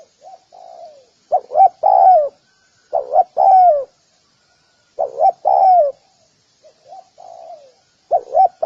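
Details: Spotted dove giving low hollow coos in phrases of quick paired notes ending in a longer falling coo, about four phrases with softer faint coos between them; quiet background.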